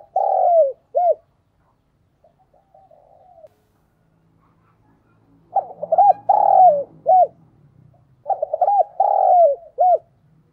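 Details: Decoy spotted dove cooing in the urging 'thúc' and calling styles to draw wild doves: deep, mellow coo phrases of quick stuttered notes ending in a long falling 'cuuu', given in three bursts, with a faint softer coo between them and a low hum.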